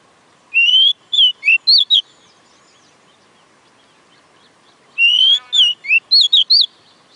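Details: Oriental magpie-robin singing two similar phrases four seconds apart, each opening with a long rising whistle followed by quick varied slurred notes.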